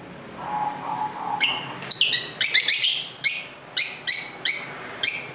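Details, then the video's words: Lovebirds singing and talking to each other at home, street ambience audible: soft high pips give way to a rapid, lively series of about ten harsh, shrill chirps. "Love Bird Sounds for 15 Minutes"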